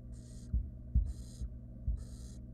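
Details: Three breathy rasping screeches from wild barn owl nestlings being fed a rodent by the female in a nest box, mixed with loud knocks and shuffling, low hum behind.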